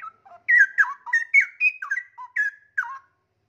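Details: Caged straw-headed bulbul in full song, singing both high and low and including forest-song fills; its tail feathers are regrowing. Loud, liquid warbled phrases are broken into quick bubbling notes that swoop up and down.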